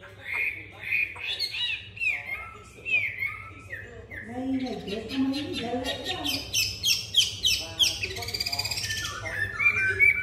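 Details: Caged Chinese hwamei (Garrulax canorus), newly arrived, sings a rich, varied song of loud slurred whistles and rapid liquid phrases, rising and falling, over a low steady hum.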